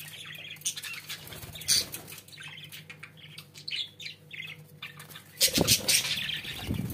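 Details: Pet budgerigars twittering in quick, irregular chirps that build into a louder, denser burst near the end, with a faint low hum.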